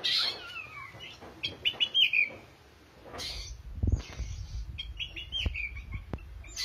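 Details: Oriental magpie-robin singing vigorously: clear whistled phrases with falling slurs and sharp chips, a burst of notes early, a pause, then scattered high whistles and clicks over a low background rumble.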